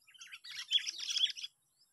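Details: Sooty-headed bulbul recorded during a bird-luring session, day six at a park site. One burst of about one and a half seconds of dense, chattering, high chirps with quick jumbled notes. The background is quiet.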